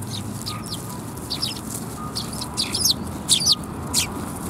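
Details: Sparrows at a Tenmangu shrine, recorded on 23 December 2021: short, high, scratchy chirps in irregular bursts, some louder and closer, over a steady low rumble of background noise.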